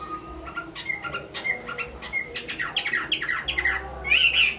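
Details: Chinese hwamei from Hải Phòng singing well, a varied run of short whistled notes and slurred phrases, with some harsher rasping notes and a steady low hum throughout.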